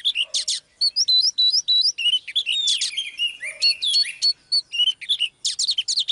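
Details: Oriental magpie-robin (Copsychus saularis): a female's voice stirring a male into song, a dense, varied run of clear whistles, rising slurs and harsh buzzy notes, several phrases per second, no other sounds.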